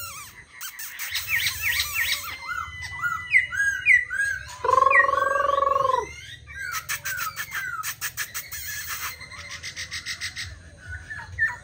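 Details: Tame caged black laughingthrush singing and dancing while set on a table: varied whistled and slurred phrases around the middle range, a sustained harmonic nasal note in the middle, and dry clicking bursts.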